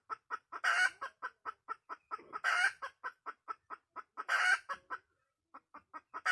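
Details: Wild red junglefowl hen calling: a steady run of short, clipped clucks about five per second, broken three times by a loud, harsh, drawn-out squawk, with a brief pause near the end.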